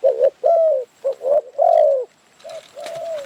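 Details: A Spotted Dove in Phrae, Thailand, gives a string of soft, mellow coos, six short hollow notes in about three seconds, steady in pitch with brief gaps. It was recorded during dove hunting with a decoy bird.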